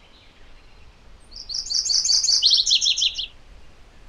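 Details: MacGillivray's warbler (Geothlypis tolmiei) delivers a single clear song of about two seconds, bright rapid high chips giving way to a lower, descending string of paired notes, over faint background noise.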